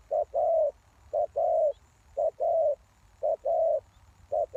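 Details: Lure spotted dove calling to attract wild doves; each phrase is a brief coo then a drawn-out, slightly wavering croo, repeated about once per second against a quiet background.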